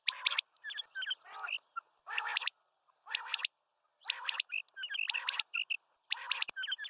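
Common quail: quick sharp whistled notes in triplets, mixed with harsher, rasping bursts repeated about every second.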